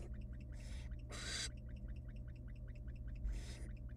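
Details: Barn owl nestlings in a wild nest box begging during a rabbit meal brought by the female; three wheezy hissing screeches, one loud and harsh, with faint quick ticking sounds between them and a low hum.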